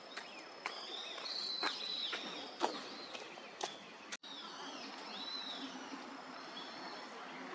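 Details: Eurasian wigeon wintering in a park at Junsai-ike, Chiba, Japan, November 2023: faint, drawn-out whistles that rise then fall, heard a few times over soft ambient noise and scattered clicks.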